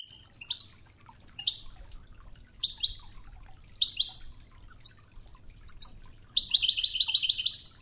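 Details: European goldfinch, Widani-style training song with river water sounds: a series of short, separate upslurred chips spaced about a second apart, followed by a rapid, even buzzy trill, over low watery hiss.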